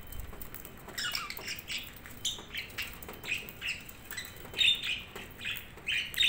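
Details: Budgies chattering in a steady stream of short, scratchy chirps and squawks, some falling in pitch, arriving irregularly about every second or two, with a few sharper, higher tweets near the end and faint background hiss.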